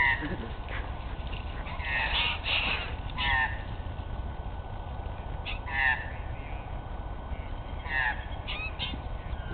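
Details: Short, harsh, rasping calls from two groups of white-winged choughs fighting each other, with magpies attacking, in bursts every second or two over a steady low wind rumble; people talking.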